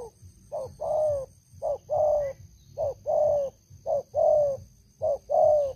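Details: Big-voiced decoy spotted dove cooing in a regular pattern, a short note then a longer coo falling slightly at its end, repeated roughly every second, over low background rumble and faint hum.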